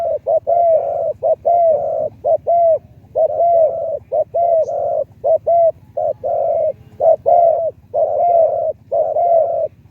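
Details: Spotted dove kept as a decoy, singing a medium-to-deep voiced song: continuous run of rich, hollow coos in short pairs and drawn-out notes, about one phrase per second, with a faint low hum behind.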